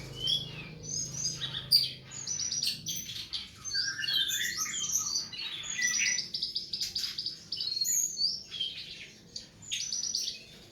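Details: Masteran, tutor song for cage birds: a rich, varied bird song of rapid chattering phrases, buzzy trills, whistled upslurs and sharp chirps in bursts separated by short pauses, with a quiet background.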